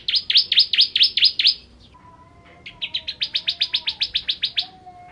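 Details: Bar-winged prinia, the ciblek kristal, singing full ngentrok: a burst of about seven sharp, high, downswept chips, a pause with faint thin whistles, then a long run of some fifteen quick, evenly spaced notes.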